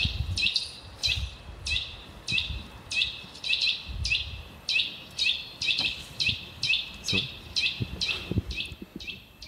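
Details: A Eurasian nuthatch gives loud, ringing whistled notes repeated about twice a second, steady and emphatic, over faint low background noise.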